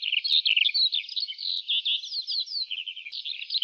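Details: Lark song from an open wheat field, fairly quiet, a steady flow of high twittering warbles with a few clear downslurred whistles in quick succession midway.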